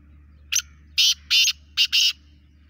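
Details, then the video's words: Lively call of a native black francolin: five harsh, rasping notes in a quick rhythm, two short notes then longer ones, over a steady low hum. "Desi kala teetar ki awaz, Desi kala teetar ki masti wali awaz, full mast kala teetar ki awaz"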